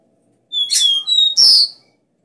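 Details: Copper seedeater, or caboclinho, singing the strong 'dó ré mi' three-note 'bitola' song used to fire up caged birds: clear high whistled notes run into rasping buzzy bursts, ending on a loud harsh phrase.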